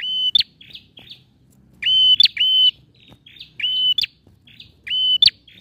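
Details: Energetic male bar-winged prinia song for prompting silent prinias: even high whistles that end in quick upward snaps, followed by short buzzy trills, repeated in several bursts with faint low rumble.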